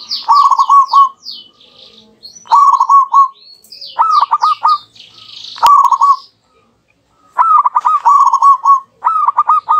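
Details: Two active local zebra doves calling back and forth, used as a lure recording: rhythmic clipped coo phrases repeated every one to two seconds, a pause, then phrases tumbling close together, with scattered high chirps from other birds.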